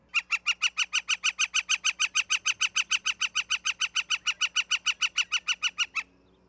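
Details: Osprey calling at the nest in Charlo, Montana, 09/11/2023, 16:04: a long, very regular run of shrill, clipped whistles, roughly three per second for six seconds, then stopping abruptly. Faint low hum in the background.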